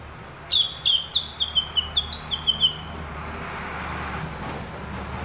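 Sumatran leafbird gives a quick run of about ten high, sharp downslurred notes over two seconds, over a faint low rumble of traffic.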